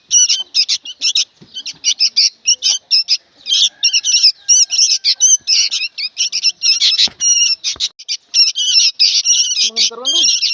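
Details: Chattering juvenile sooty-headed bulbuls: quick series of rasping, buzzy squawks repeated in uneven bursts throughout, with a few faint descending notes near the end.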